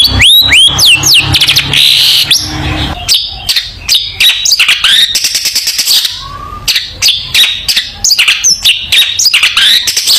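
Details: Long-tailed shrike in lively song as training material for young shrikes: a fast cascade of sharp upslurred whistles, then a long stretch of rapid chattering clicks and squeaky notes, very busy and continuous.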